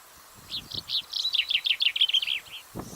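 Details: Common chaffinch; song; male attracting a female in breeding season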